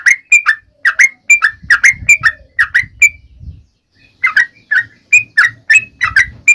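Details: Sooty-headed bulbul calling to its companions, a run of quick liquid whistled notes that pauses briefly midway and resumes, with low thumping background noise under the first half.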